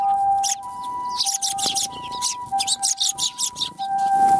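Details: Sparrows gathering at a Tenmangu shrine on 1 January 2021 to be fed. They give a lively series of bright chirps, with rapid pulses repeating through the second half, against a constant tonal hum.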